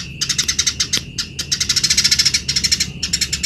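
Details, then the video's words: Eurasian tree sparrow in full, energetic song, used as a tutor recording for other birds: dense runs of harsh, high chirps pulsing quickly and almost without pause, over a constant thin background tone. "BURUNG GEREJA GACOR || PAS BUAT MASTERAN"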